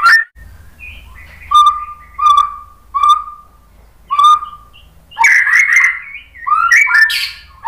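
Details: White-rumped shama singing to provoke other shamas to sing, opening with spaced pure whistles repeated about every second, then a louder rush of rich warbled and harsh notes.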